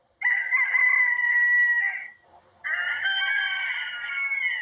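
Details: Roosters kept by a neighbour, about 13 to 15 birds, crowing in the early morning around 4 to 5 a.m., recorded on a phone; two long, strident, sustained crows, each about two seconds, separated by a short pause.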